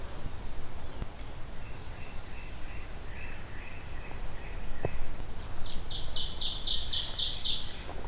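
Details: In Beverly Swamp near Hamilton, Ontario, in June, an Ovenbird's loud, quick series of repeated high chanting phrases builds near the end, after softer chips and a thin whistle from other birds, including Blue-winged Warbler, over a steady low rumble.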